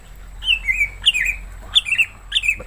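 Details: Caged pet green leafbird (cucak hijau), said to always sing when approached, recorded 30 January 2024: bright whistled phrases, each a sharp high note dropping into a warbled slur, repeated four times about every half second.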